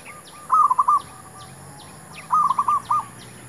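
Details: Used to lure wild doves for trapping, a zebra dove gives two quick bubbling coo phrases of about five notes each, nearly two seconds apart, against a background of ticking insects.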